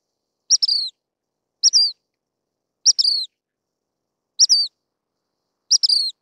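A Dark-sided Flycatcher gives five thin, high, sharp double notes, each ending in a short downslurred squeak, spaced about every second and a quarter against quiet surroundings.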